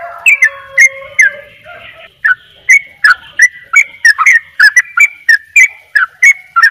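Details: Sooty-headed bulbul, Bali type, opening with a lower drawn-out warble before breaking into its rapid "dobel ropel" string of sharp, bright whistled notes in close succession.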